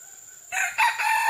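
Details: Red junglefowl calling, recorded on June 12, 2011: after a brief quiet start, a loud, harsh, crowing burst breaks in abruptly and swells in two surges, rough and broad-toned, with faint background bird chirps beneath.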